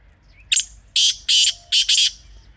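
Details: Pakistani black francolin, recorded wild in a natural environment, utters its harsh rasping call: a short opening note, then four loud buzzy grating bursts in quick succession.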